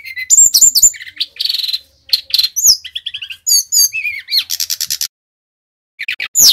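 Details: Brown-chested jungle flycatcher of the Bali type, singing vigorously as a lure to prompt other birds to sing: a rapid, varied jumble of high whistled slurs, sharp chips and buzzy trills, ending after a short pause with more high notes.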